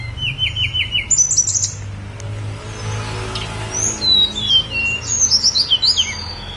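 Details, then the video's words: Snowy-browed flycatcher on Gunung Songgo Langit, singing a rapid series of short repeated high notes, then a pause, then a cascade of thin descending chips, over steady low background hum. "KICAU TLEDEKAN GUNUNG SONGGO LANGIT"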